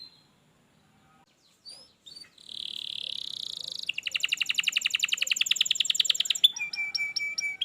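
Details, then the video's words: Canary singing on a recording meant to get a lazy canary singing. After a near-silent start, a buzzy rolling phrase gives way to a long, rapid, even trill and a closing metallic chatter. "kenarimu pasti ikut gacor || masteran kenari malas bunyi"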